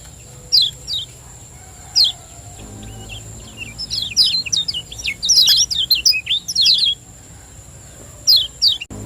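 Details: Energetic Lombok lemon-bellied white-eye, a champion bird singing 'ciak joss' as a lure: a few isolated piercing chirps, then a long dense stretch of rapid, high, twittering notes, ending with more single sharp calls over a steady high tone.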